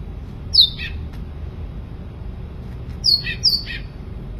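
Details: Sooty-headed bulbul singing: a single high whistled downslur, a pause, then two more quick downslurred whistles close together, against a quiet low background hum.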